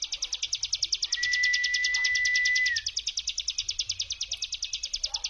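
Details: Hill prinia 'brem' song meant to provoke other prinias to answer: an unbroken train of sharp buzzy pulses at about three per second, with a long steady whistle in the middle.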